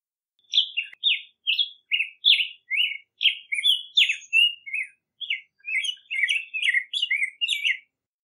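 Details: An extended black-headed grosbeak song: about sixteen short, sweet whistled phrases in a steady run, each rising or falling, flowing like a hurried robin-like warble with nothing else heard.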